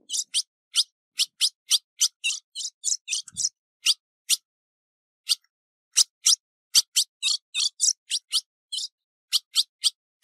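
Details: Female ultramarine grosbeak in breeding condition calling and chattering, recorded 15 June 2019: dense runs of sharp, high buzzy chips with short gaps, occasionally doubled, continuing throughout. No other sounds present.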